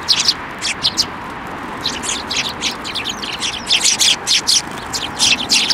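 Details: Sparrows flocking onto a hand for food at a Tenmangu shrine, 28 December 2023; dense, lively chattering of overlapping high chirps and tweets, almost continuous throughout, with steady outdoor background hiss.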